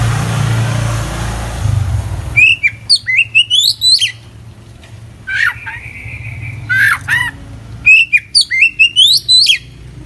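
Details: Oriental magpie-robin (kacer) singing hard in full isian style: rapid, varied bursts of sharp chirps and slurred whistles, one long steady whistled note mid-phrase, then more quick chattering runs, faint hum behind.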